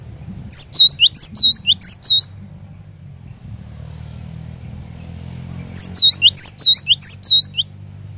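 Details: Glatik batu song intended to coax caged cinereous tits into nonstop singing: two bursts of four to five chiming, swooping two-note phrases roughly four seconds apart, over a steady low hum like distant traffic.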